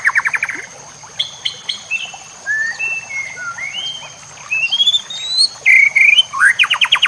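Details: White-rumped shama singing in a recording made to train other shamas, with nature sounds and trickling water: a rapid buzzy trill, then varied clear whistles rising and falling in pitch, ending in loud rising notes and another fast trill, over a faint steady high hiss.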